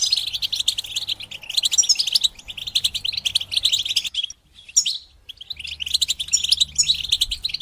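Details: European goldfinches in a group chorus of chattering song (batbata), meant to help goldfinches sing and come out of moult. Dense, fast, high twittering runs for four seconds, breaks into brief scattered notes, then resumes thickly.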